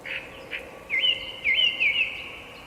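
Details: Short burst of bird chirping: two soft notes, then three clear downward-sweeping chirps in quick succession against faint background hum.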